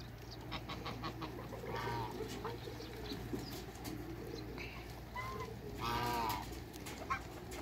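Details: Toulouse geese, two males and one female, in a backyard after a crate, giving a few short nasal honks with stacked harmonics, two louder bursts near the second and sixth seconds, over steady low hum and background clatter.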